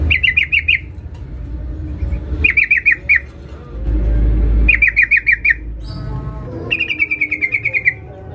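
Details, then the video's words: Lure recording of a female sooty-headed bulbul calling a male: four rapid bursts of about six to ten bright, clipped chirps, separated by pauses filled with a low rumble. "Trucuk BETINA Memanggil Jantan"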